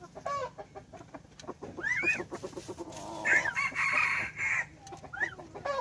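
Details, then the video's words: Young hybrid junglefowl rooster, a domestic-wild chicken cross, praised for its strong crowing, dated 10/1/2021. Rising arched clucks lead into a loud, harsh crow held about 1.3 seconds, followed by more short clucking notes. "Qaib Dib Txuam Qaib Qus Tom 3 Zoo Nraug Qua Zoo heev"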